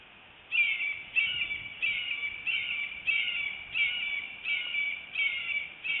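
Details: Bald eagle at a nest camera in Northeast Florida, 25 February 2018 at 10:31 am, as the adult female arrives with a fish and feeds her eaglet: high, harsh squealing calls repeated about every two-thirds of a second, nine in a row, over steady hiss.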